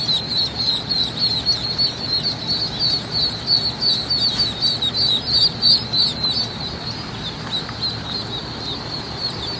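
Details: Many Rouen ducklings kept at a hatchery, peeping continuously; a dense chorus of high, thin, overlapping cheeps repeated rapidly, roughly three per second, with rustling and shuffling underneath.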